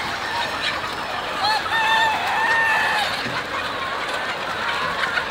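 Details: Nearly thirty thousand chickens and roosters pour out together at a farm for feeding: a dense, continuous wash of overlapping clucks and squawks, with a few drawn-out higher calls rising above the din.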